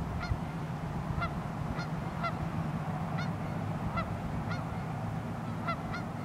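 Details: On a very cold morning on the Pend Oreille River in North Idaho, geese give short, nasal honks, about one or two each second, over a steady low rumble of moving water.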